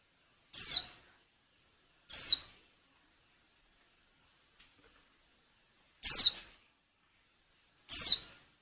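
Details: Breeding-condition female white-eye used as a decoy to make males sing; four high, sharp, downslurred calls, two close together, then a pause of over three seconds before two more.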